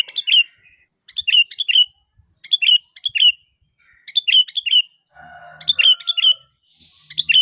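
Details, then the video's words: Sooty-headed bulbul in full calling, meant to provoke answers from other bulbuls: repeated bubbly phrases of three or four liquid chirps roughly every second, with a faint tonal hum and low rumble entering near the end. "Suara Asli Kutilang Gacor Memanggil, Kutilang Pasti Nyaut"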